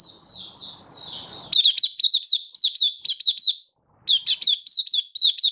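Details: Malaysian white-eye (mata puteh) in cheerful open song, Singapore, warm, stable, sunny weather, 20 March 2023; soft twittering gives way to two brisk runs of high, bouncing whistled notes split by a short gap.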